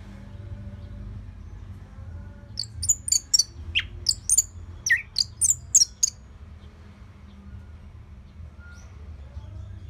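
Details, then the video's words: Orange-headed thrush song for training other birds: about a dozen thin, sharp high notes, some dropping steeply, delivered in a quick irregular series over roughly three seconds, moderately distant and quiet against a low hum. "Dipancing Dengan Kicauan ANIS MERAH Gacor Selow"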